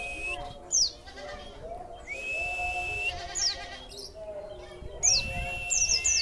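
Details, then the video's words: Caged white-eye given extra food and then set singing, with 'wit wit' material: long level whistles, high sharp descending notes and quick high twitters, over a low background murmur. "pleci materi wit,wit"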